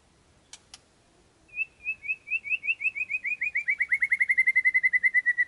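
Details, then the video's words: Murai (shama) song used as a lure to provoke a reply: two sharp clicks, then a fast accelerating run of clear, downslurred whistled notes that grow louder and then hold a steady pitch. "PANCINGAN MURAI NYAUT LANGSUNG"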